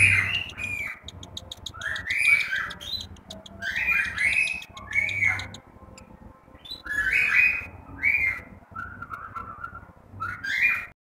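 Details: Cockatiel chicks in the nest, Juazeiro do Norte, Ceará: softer, scratchy rising calls in irregular groups with clicking sounds and low background rumble.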